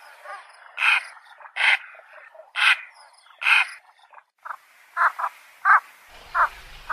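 Javan pond heron giving harsh, hoarse squawks, repeated roughly once a second, then shorter, quicker croaks toward the end.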